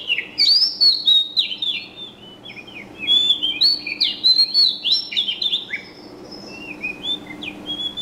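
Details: Continuous high bird chirping: fast twittered phrases with sharp slurred whistles, loud at first and gradually softer toward the end, with a faint low hum underneath.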